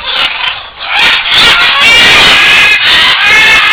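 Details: Great green macaws, also called Buffon's macaws, on the ground at a breeding project in San Jose, Costa Rica, raised for release into the wild, recorded on 31 December 2010; harsh, raucous squawks run almost without pause, layered and overlapping.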